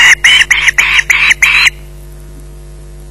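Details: At the Loch Garten nest an osprey holding a fish screeches in a quick burst of six harsh, grating squeals, then falls silent except for a faint background hum.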